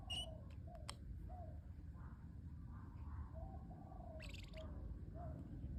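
A parrotlet gives a few short, scattered chirps and sharp squeaky notes, some soft and low, others bright and buzzy, over a steady low hum of room noise.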